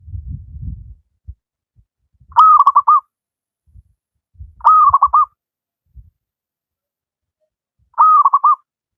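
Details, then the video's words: Zebra dove of a wild local strain singing briskly, suited to train reluctant doves. Three short phrases of a clipped first coo and a quick rattling run of notes, roughly two to three seconds apart, with faint low knocking between. "Burung perkutut lokal alam gacor, cocok buat masteran perkutut yang malas berbunyi"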